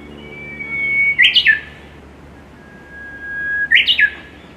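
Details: A Japanese bush warbler in Saitama, Japan, in May 2018 sings twice: a long, steady whistled 'hooo' that ends in a quick, tumbling 'ho-ke-kyo' flourish.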